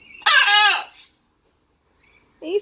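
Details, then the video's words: Pet blue-and-gold macaw at play, giving one loud, harsh, broad squawk of about half a second, followed by quiet silence and a couple of faint short calls at the end. "Macaw laughing, squawking, talking and playing"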